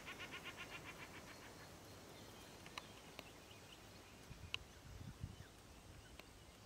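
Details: Common shelduck at Izliv Soče nature reserve on 1 June 2023 gives a quick run of about nine nasal, cackling notes in just over a second, then stops; a few faint clicks follow over a quiet background.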